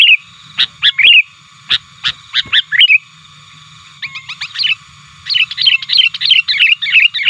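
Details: Sooty-headed bulbul calling to provoke rivals, a lure for wild birds. Spaced sharp notes and slurred chirps give way to a dense, fast-chattering sequence of warbled phrases in the second half.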